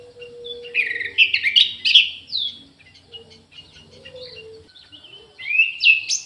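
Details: Orange-headed thrush singing energetically in an aviary. Clustered, tumbling whistled phrases come in the first two seconds. Softer scattered notes follow, then a bright upward-sweeping whistle ends it. A steady low tone and a faint low murmur sit beneath.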